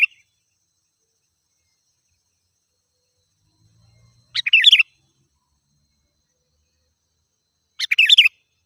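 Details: Sooty-headed bulbul song meant to rile wild birds; quick burbling bursts of chirps, each under half a second, spaced about three and a half seconds apart in otherwise quiet surroundings.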